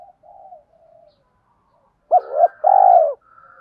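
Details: Spotted dove cooing for stimulating training birds, from male and female birds. Low soft murmurs open, then a pause, then a loud two-part phrase of a quick rising note and a long falling coo, with a thin higher tone after.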